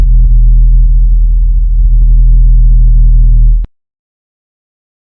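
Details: Loud, steady low droning hum with scattered soft clicks for nearly four seconds, ending abruptly in silence; no animal voice is heard.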